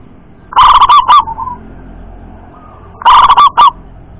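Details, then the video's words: A loud, punchy 'double kuk' call from a local wild-type zebra dove, two bursts of fast, bubbling trilled coos about two and a half seconds apart, with a soft low murmur between them. "perkutut lokal suara MENJERIT‼️ DOBEL KUK KERAS&NEMBAK"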